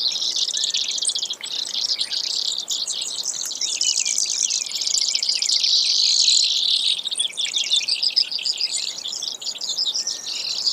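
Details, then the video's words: Brewer's sparrow giving long, dense buzzy trills, high-pitched and continuous, shifting speed and pitch throughout with only brief breaks; a faint insect-like hiss underneath. "Brewers Sparrow Sound, Bird Call"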